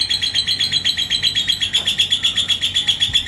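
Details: Yellow lovebird (labet koneng) in Indonesia, provoked by a rival, giving the long ngekek: a fast, even, high-pitched chattering trill of about four notes per second, running unbroken throughout.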